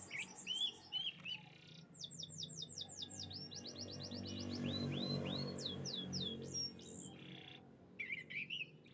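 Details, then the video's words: Canaries chirping: bursts of fast repeated downslurred whistles and rising sweeps separated by pauses, over a soft continuous low hum in the background. "the beautiful chirping sounds of canaries"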